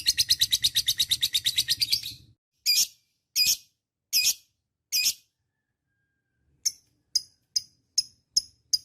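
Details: Lovebird giving ngekek panjang, the long chattering song played to other lovebirds to get them to sing; a fast run of shrill, evenly repeated strokes for two seconds, then four separate squeaky notes and a string of short high chips.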